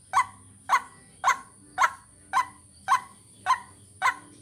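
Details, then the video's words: Luring call of a white-breasted waterhen, known locally as ruak-ruak: eight evenly spaced, rasping kwak-like notes at about two per second over a thin, steady high whine. "Ruak Ruak pikat latihan vocal"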